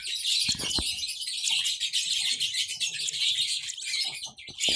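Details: Baby lovebirds chirping: a dense, unbroken wash of high, shrill chatter and squeaks, with a couple of low knocks early on.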